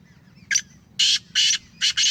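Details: A captive Black francolin of the Sheedi strain gives its grating call: a short sharp opening note, then two broad rasping notes and a fast doubled harsh note at the end, over a steady low hum.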